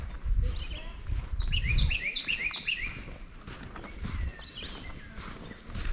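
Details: A Carolina wren by a rough road up to an old cemetery sings a loud, rapid run of ringing, repeated phrases, with a Northern Cardinal, American Redstart and Red-eyed Vireo faint behind it, plus low rumbling and a man's voice.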